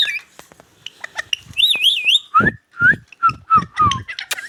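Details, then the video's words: Talking Indian ringneck parakeet gives scratchy clicks, then a long warbling whistle and a string of short falling whistled syllables, each with a harsh buzzy burst underneath, repeated roughly every half second. "talking I•ndian |king| Parrot |Indian ||dancing to |magical |ringneck| parrot |amazing |ringneck|"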